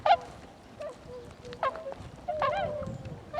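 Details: Tundra swans recorded on 26 February 2012, giving a few separate nasal, bugling honks with gaps between them, each call rising then falling, over faint low background noise.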